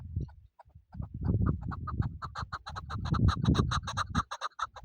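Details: Chukar partridge calling, a recording used for hunting: a series of clucking chuk notes that speeds up into rapid rhythmic chattering, over heavy low rumbling noise.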